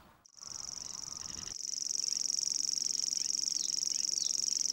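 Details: Savi's warbler (Locustella luscinioides) singing in Sweden, reeling a fast, steady, insect-like buzzing trill held without a break, with a faint low rumble beneath.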